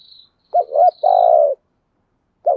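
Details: Caged spotted dove decoy cooing to lure wild doves: a quick doubled low note then one long, even, husky coo, with a thin high whistle from another bird behind.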